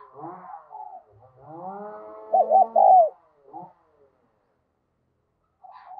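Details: Spotted dove kept as a lure bird, with a Đồng Son style voice, cooing to call other doves. One clear three-note coo phrase rises above a sustained, buzzy harmonic drone and scattered fainter sounds.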